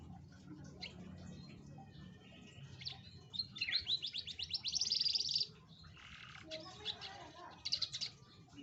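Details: Atlantic canary song played as a lure to coax a lazy canary into singing: quiet scattered chirps, then a bright high rapid trill of buzzy, fast-repeated notes for about two seconds, followed by softer twittering over low background hum.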